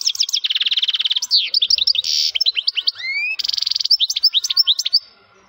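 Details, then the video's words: Powerful song from a male European goldfinch: sharp high chips, a long rattling buzz, then tumbling twitters, a rising slurred whistle and another rattle ending in quick liquid notes. "hassoun bird voice - ذكر حسون مقنين يغرد بصوت قوي - Voix de chardonneret -Chant Chardonneret"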